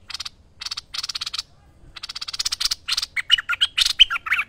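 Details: Merbah lekir bulbul singing vigorously, a master recording for training other birds: bursts of harsh, buzzy chattering notes, then a faster run of clear whistled, warbling phrases near the end.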